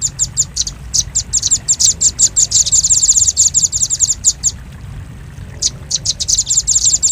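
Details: Velvet-fronted nuthatch calling for luring birds: spaced high chips build into a rapid dense trill, pause for about a second, then another quick trill starts.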